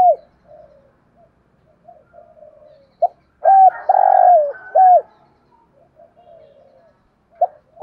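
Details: Spotted dove singing 'giọng thổ' as a decoy to prompt wild doves: soft low notes, then a clipped coo, a short coo, a long falling coo and an arched coo, with murmuring and brief coos after.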